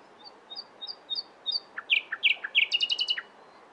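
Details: Nightingale song beginning with soft, high paired whistles that swell in volume, then loud repeated two-part notes and a rapid rattling trill at the end.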